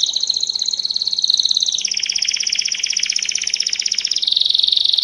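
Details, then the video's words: Belgian canary giving campainha (bell) style song: continuous buzzing, rattling trills that step down in pitch, then run level and end on a higher steady trill, with quiet background hum. "Canário Belga MESTRE do CANTO CAMPAINHA PURO"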